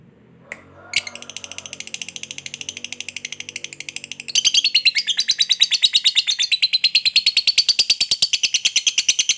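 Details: Lovebird fighter in long ngekek chatter, played to provoke other lovebirds to reply: a few opening chirps, then a steady, rapid, shrill rattling trill that becomes louder and denser after four seconds and keeps going.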